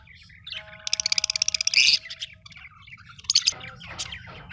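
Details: Colorful pet Australian budgies chirp: a rapid run of about a dozen bright, evenly spaced chirps, then scattered sharp high notes and a brief squawk, over a faint steady low hum.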